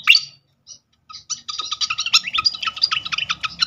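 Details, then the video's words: Srikatan flycatcher song used as a lure to make birds sing: a brief upward chirp, a pause, then a rapid run of high, jumbled chattering notes. "pancingan khas burung srikatan kipas"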